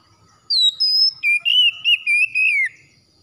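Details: Oriental magpie-robin song: a high whistled note sliding down, then a run of six loud, clear whistled phrases in quick succession, steady then falling at the end, in a quiet background.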